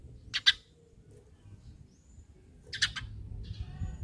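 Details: Eurasian tree sparrow giving lure chirps to get other sparrows calling: two quick, harsh double chirps roughly two and a half seconds apart over quiet low hum.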